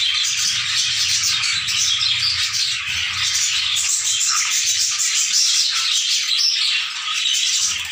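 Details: A new captive colony of sun conures at a pet park in Balaghat fills the air with a continuous wash of harsh, high, overlapping screeches and chatter, with no pause throughout.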